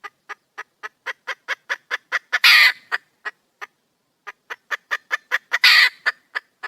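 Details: Female red junglefowl in the wild calling to attract a male: two bursts of rapid, evenly spaced clucks, each climaxing in a loud, grating squawk, separated by a brief pause.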